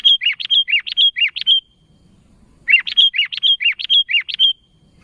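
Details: Sooty-headed bulbul calling to companions, described as lively and vocal. Two bursts of about a dozen quick, sharp notes alternate high and slightly lower, each burst lasting under two seconds. A short pause between them carries only a faint low rumble.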